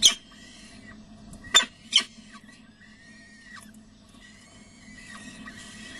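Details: Peregrine falcons at De Mortel on 6 May 2009, late morning, as the adult male brings prey and the young are fed. A sharp harsh call opens the clip, then two raspy calls come close together, with soft scraping and rustling behind them.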